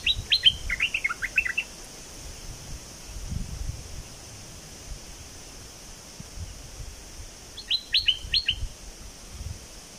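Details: Chirpy phrases of a bulbul from southern Thailand, recorded to rouse birds for trapping: a brief tumbling cluster of bright notes, several seconds of near silence, then a second similar cluster.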